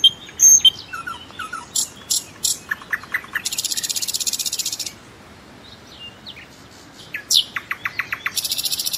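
A common nightingale sings a rich, varied song of sharp whistles, quick repeated notes and long, rapid buzzy rattles, with short pauses between phrases.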